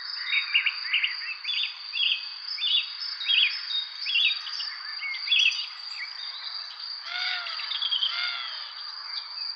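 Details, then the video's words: Evening birdsong in spring: short chirps repeated roughly every half second, then two longer descending, arching calls near the end, all over a continuous high-pitched insect buzz. "Relaxing evening spring birds chirping sound effect"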